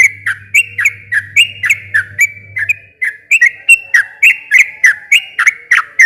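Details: Sooty-headed bulbul in long, rapid 'ropel' song used as a lure to make a silent bird answer: bright, bubbly whistled notes dipping and rising, about four per second, with a short pause midway and a low hum early on.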